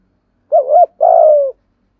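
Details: Spotted dove cooing, a recording meant to spur a silent caged dove into cooing: a short wavering mellow note, then a longer, rough-edged coo that slides gently downward, against a quiet, clean background.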